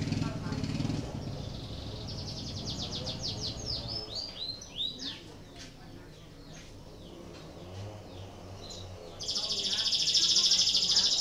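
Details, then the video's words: Canary in breeding condition, singing to prompt other canaries to join in: low rumbling noise first, then fast descending high sweeping trill notes, a quiet pause, and a dense, loud, buzzy high trill at the end. "PANCINGAN KENARI BIRAHI , AMPUH MERANGSANG KENARI IKUT BUNYI || MASTERAN KENARI"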